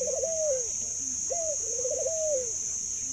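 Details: Zebra dove said to laugh and give an exceptionally long coo, heard in two phrases of sharp note, stuttering trill and long falling tone, beneath a steady high-pitched electronic whine.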